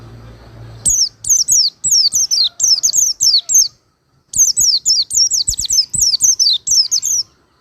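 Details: Long, lively strings of high, thin, downslurred whistles from an Oriental white-eye, meant for teaching cage birds, with notes repeated about four per second in two extended phrases split by a short pause.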